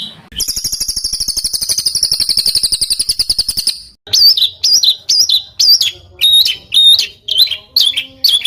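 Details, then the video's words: Small bird in rough-style Indonesian tutoring material: a long, fast, buzzy trill of very high notes lasting about four seconds, then separate squeaky, whistled, up-and-down phrases. "SUARA BURUNG KECIL TEMBAKAN KASAR"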